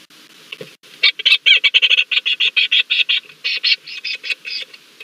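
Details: Leach's storm petrel in a dark vacant Cahow burrow at night on Nonsuch Island, Bermuda, 20 July 2019, possibly interacting with a land crab: rapid, rhythmic chatter of harsh, high notes, about five a second, after a brief quiet start.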